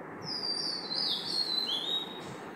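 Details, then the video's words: An Oriental magpie-robin sings at 5 am: a clear, sweet whistled phrase, high and slightly slurred, over a soft steady background hiss. "oriental magpie robin singings"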